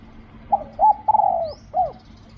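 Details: Single spotted dove phrase recorded while luring with a decoy in Thailand: a short coo, a bent note, a long rolling coo sliding down, and a clipped final coo.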